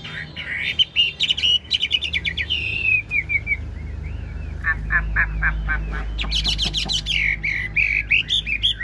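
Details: Caged large Chinese hwamei's long 'ngũ trường' song with nodding 'lion dance' display. Harsh rattling trills alternate with bouncing looped whistles and high chattering notes over a low rumble.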